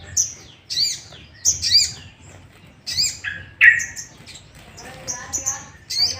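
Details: Sooty-headed bulbul provoking call meant to make other bulbuls sing; irregular bursts of high thin chirps and lower rough notes, more varied and broken than a steady series, with quiet gaps.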